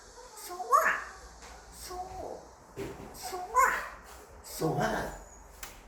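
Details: A five-year-old male African grey parrot (Psittacus erithacus) talks in short, voice-like bursts of word sounds, four or five phrases in six seconds, attempting English mimicry against quiet indoor room noise.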